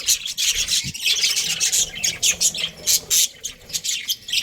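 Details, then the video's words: Australian budgies, a breeding pair, keep up a steady stream of harsh, grating chatter with rhythmic pulses of sharper chirps roughly every half second. "Budgies chirping sounds"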